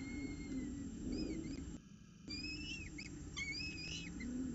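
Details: Begging peregrine falcon chick, hungry, filmed 10 October 2018: long thin whistled notes and quick wavering whines with harmonics, broken by a short gap, over a continuous low rumble.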